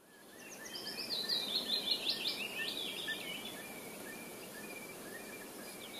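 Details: A white wagtail at Ahsewiesen, Lippetal, Germany, on 6 June 2015, gives a quick, high twittering run of sharp chirps for about three seconds, then a few fainter notes, over steady wind-like background noise.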